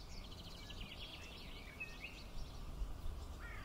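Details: Swallows feed their chicks, giving quick, high twittering chatter with a few rising chirps over a steady low rumble of wind or distant noise.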